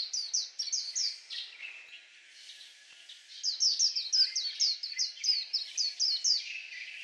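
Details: Singing white-eye gives high, sweet, downward-sliding whistles in quick succession. A twittering burst opens, a quieter lull follows, then a longer, louder run of rapid notes carries to the end.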